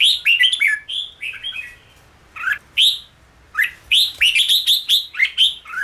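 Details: Red-whiskered bulbul singing in the chattering ché style, used to train birds to find their voice quickly and sing at café gatherings: bursts of bright, slurred whistled notes, rising and falling, in quick runs separated by short pauses.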